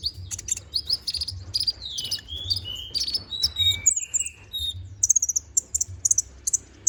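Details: Busy konin song serving as a training model for magpie-robins: warbled whistles sliding up and down, then bright staccato chips, over faint low droning noise.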